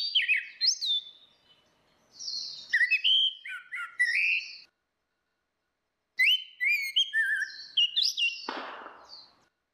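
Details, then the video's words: Ngeplong song of orange-headed thrush, female against male, used to prompt a silent bird to sing. Three bursts of fast varied whistles and warbles with jumps in pitch, separated by pauses, plus a short rasping note near the end. "SUARA ANIS MERAH BETINA VS ANIS MERAH JANTAN NGEPLONG || PANCINGAN ANIS MERAH MACET"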